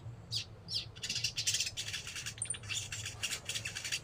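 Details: Sogon songbird, likely caged, singing a busy run of dry, buzzy chirps and short sharp high notes, dense and fast at first and then in brief bursts, over a steady low electrical hum.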